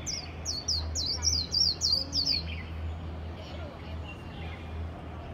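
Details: A Japanese white-eye singing passionately gives a quick run of about eight thin, very high, slurred notes over two seconds, then falls quiet above a low steady hum.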